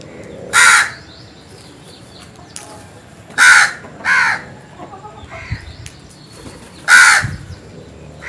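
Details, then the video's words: Crow calling in the morning: four loud, harsh caws, each short and raspy, spaced unevenly over eight seconds with two coming close together mid-way, over a quiet background of faint, scattered bird notes. "Crows Sounds"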